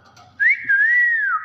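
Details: A common hill myna (Gracula religiosa intermedia, Thailand) gives one clear, loud whistle lasting about a second that rises sharply, dips, then wavers gently before falling away, with faint room noise behind.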